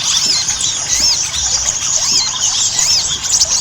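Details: Ruby-cheeked sunbird singing energetically as a lure for caged birds: sharp, sibilant high chips mixed with short curved whistles, delivered in an unbroken, hurried flow.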